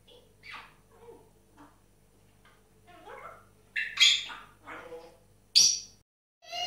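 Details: Four pet grey parrots in full action with weird sounds: scattered short squawks, clicks and whistled notes at varied pitches, several sharp high shrieks near the end, quiet gaps between.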